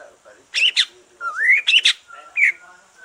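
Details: Green leafbird after moulting, song used to stimulate other leafbirds: bursts of bright high notes, then a smooth whistle sliding upward, more clipped high phrases and a short rising note.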